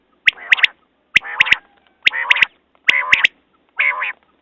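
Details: Quail delivering a sharp note followed by a nasal, buzzy phrase ending in two quick notes, this group repeated about every 0.9 seconds, with clicks alongside.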